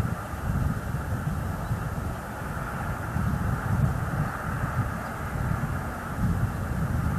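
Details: Steady low rumble of wind and distant engine noise outdoors, with no animal calls heard.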